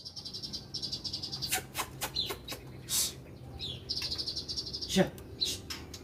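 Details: Oriental magpie-robin singing in the koslet style, used as a lure to prompt reluctant magpie-robins to sing: rapid high trilled bursts alternating with sharp clicking notes and short whistled slurs, repeated across the clip with brief pauses.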